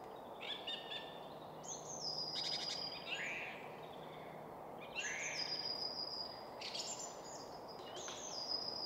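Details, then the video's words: A song thrush sings loud, varied whistled and chirping phrases, some repeated, from atop a spruce in quiet suburban woodland at Väsby sjöäng near Stockholm, Sweden, over a low hum of city traffic; other woodland birds call faintly in the background. "Song Thrush in Full Song"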